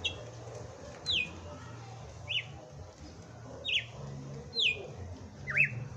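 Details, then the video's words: Red-cowled cardinal, a caged bird kept by a Brazilian breeder, singing on Christmas Day: spaced, sharp whistled notes sliding down or up, about one every second, over faint low background hum. "Galo de campina FENRIR cantando e batendo fogo"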